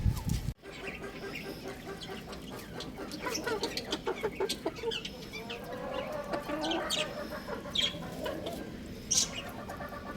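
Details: Chirping from a young rooster playing on a roof: a run of nasal, harmonic-rich chirps and squeaky notes packed in the middle, with sharp clicks and knocks scattered around.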